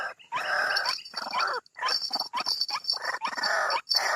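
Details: White-breasted waterhen calls played to coax birds out of the bushes: raucous, harsh croaks in uneven bursts separated by brief silences, with a thin continuous high tone behind.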